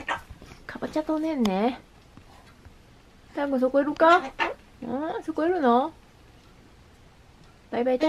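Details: A pet Ducorps's cockatoo at home speaks in short, voice-like phrases with wavering, harmonic-rich pitch, imitating the greeting "konnichiwa" in four bursts separated by pauses. It has lately taken to saying "hai" followed by "konnichiwa".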